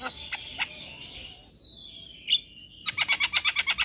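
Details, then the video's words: Javan myna in full song, meant to get other mynas singing: a few sharp clicks, then a long, thin, level whistle gliding gently downward, followed by a fast, even series of about eight raspy chattering notes. "Jalak Kebo Gacor Full Isian Bikin Heboh Semua Jalak Yang Dengar - Jalak Kebo Stres Cepat Bunyi"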